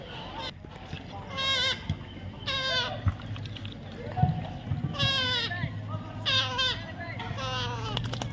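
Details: Baby parrot calling: a series of nasal, harmonic notes that slide downward, given in bursts about once a second with short gaps, over faint human speech and low background hum.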